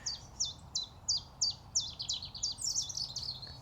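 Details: Common chiffchaff singing in early spring in overgrown undergrowth of a woodland lane area with river and pond: high, dropping notes about three times a second, with a second small bird chattering over the last part.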